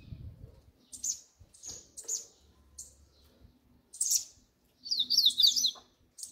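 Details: Double-collared seedeater singing its 'grego' style song: sharp high chips spaced about half a second apart, then two short bursts of rapid, very high trilled warbling lasting under a second each.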